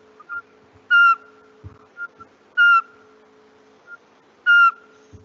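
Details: Eurasian pygmy owl, a starling-sized owl of France and Europe, gives its classic call: a single fluted, mellow whistled note repeated about every two seconds, with a faint steady hum and a few soft knocks in the background.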